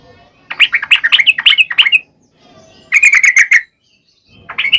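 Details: Sooty-headed bulbul song used to provoke males into singing: loud bursts of rapid, bubbly whistled notes, three phrases separated by short pauses, with notes repeated several times a second.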